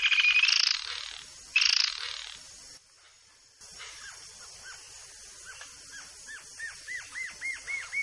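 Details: Yellow-billed jacamar song from Brazil: a run of thin, high whistled notes that speed up and climb in pitch, after two brief harsher bursts at the start.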